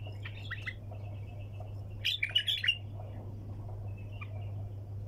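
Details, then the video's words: Sayyad-style bulbul song. Brief chirps open the clip, then a quick, loud cluster of ringing, slurred notes, and it trails off into faint twitters against a steady background hum. "احلى طك جناح بلبل طور صياد بدون توقف"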